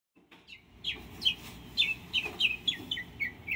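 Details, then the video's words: At home in Delray Beach, Florida, on 7 September 2017, a northern mockingbird sings a quick series of sharp, high chirped notes, several per second, with slight changes between phrases. "Mocking Bird Singing"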